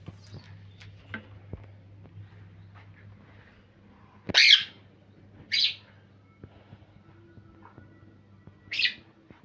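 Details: Parrot calling in the morning: three short, harsh squawks spaced a second or more apart after a quiet start, with a faint low hum in the background.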